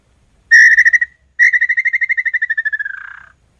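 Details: A quick burst of pulsed whistles from a Red-legged tinamou, then a long accelerating series of whistled pulses that slowly drops in pitch and ends in a softer, rougher note.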